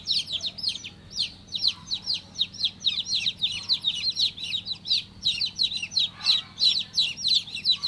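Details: Tiny newly hatched chick calling with bright, high, down-slurred chirps in fast uneven series, close to three per second, over quiet low-pitched room hum.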